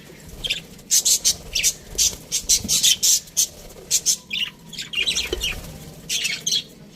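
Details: Aviary budgerigars giving a quick series of sharp, high squawky chirps and clicks, several per second, with a brief pause then more chatter.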